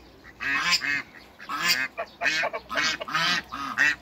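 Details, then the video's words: Hybrid Cayuga and Muscovy ducks meeting in a backyard give loud, harsh, nasal quacks in quick bursts, about six calls in four seconds, some doubled, with short gaps between them. "MEETING HYBRID CAYUGA & MUSCOVY DUCKS AFTER THE CREATE A NEW HYBRID"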